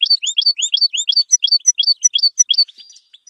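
A goldfinch sings a quick, high, twittering run of bright paired notes, about five per second, fading out after nearly three seconds.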